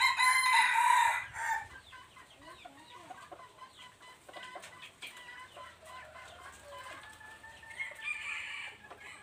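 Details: Red junglefowl, a three-year-old male, recorded 26 January 2023: one loud, harsh crow in the opening second and a half, broken into stuttering segments. Quiet follows, with faint scattered bird chirps and background rustle.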